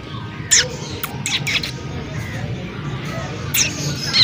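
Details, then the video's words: Parrots in Abbasia Park, Pakistan, give short, harsh, screechy squawks, about six bursts, some paired, over a steady outdoor murmur with faint voices. "طوطے کی ٹٸیں ٹٸیں سنو"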